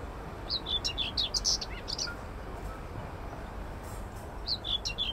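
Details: Common whitethroat (Törnsångare) singing in Södra Årstalundens Koloniträdgård, Södermalm, central Stockholm, Sweden, on 25 May 2024: a short, scratchy warble of quick high notes, a pause, then another phrase starting, over low city hum.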